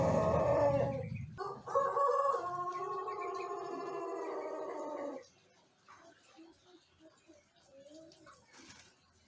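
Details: One-month learner Pelung Jejangkar rooster crowing in the Indonesian morning, crop empty, fed normal rice bran: a rough, strained crow broken after one second, then resumed and held for about three more seconds before fading to faint background noise.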